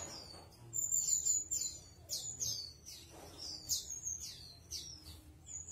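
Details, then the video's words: Chestnut-capped thrush singing steadily, a tutor recording for cage birds: quick series of high, thin whistled notes and slurred chirps repeated about three times a second, over a soft background hiss and low rumble. "Anis Kembang Gacor | 栗頂地鶇 | Chestnut-capped Thrush"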